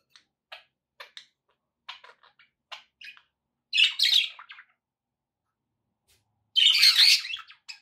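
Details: Budgerigars chirping indoors: a string of short, clipped tweets spaced about half a second apart, broken by two loud bursts of harsh, buzzy chatter.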